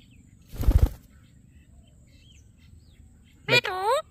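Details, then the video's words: A talking Alexandrine parakeet gives a brief burst of wingbeats, then one short, harsh, nasal utterance that bends up and down like a spoken word, amid repeated "Metro" speech. "Parrot Talking Video | Mithu Mithu | Alexandrine Parrot"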